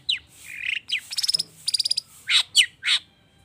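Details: Cendet, the long-tailed shrike, in a prompting recording: downslurred whistles, a buzzy trilled stretch of fast pulses, then loud harsh squeaky notes, varied and mimic-rich.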